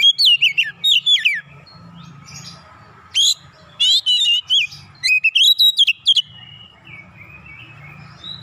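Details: Provoked oriental magpie-robin in full heated song, delivering a varied repertoire: clusters of sharp, rapidly modulated whistles and chattering notes in bursts, separated by brief pauses, with a soft low rumble underneath.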